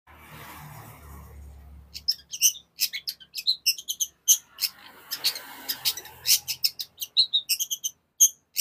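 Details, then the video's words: Long-tailed shrike, a caged bird kept for song contests in Indonesia, singing fast and dense: a rapid run of sharp high chirps and harsh notes packed closely together after a quiet start with low hum. "CENDET GACOR SPEED RAPAT"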